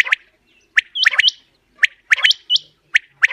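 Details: Common quail, described as a female bird, whose calls serve as a lure for quail hunting and netting. Bright, hooked notes are mixed with short raspy bursts. They come in irregular clusters of two or three, with quiet gaps between them.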